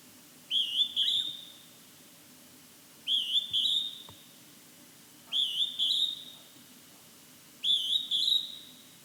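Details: Calling from within fog, a Hodgson's hawk-cuckoo repeats a shrill two-note whistle, the second note higher, four times at roughly two-and-a-half-second intervals against a quiet background.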